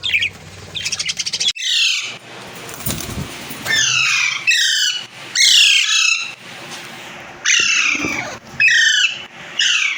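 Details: Caged budgerigars in an aviary colony, playing, singing and eating, give loud harsh chirps that slide downward. The chirps come in quick bursts separated by short pauses, with several birds calling over one another.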